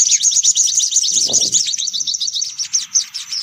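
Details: Sunbird lure sound meant to draw sunbirds in: dense, high, rapid chattering notes that sweep down in quick succession, about two to three per second, with a brief low rustle midway.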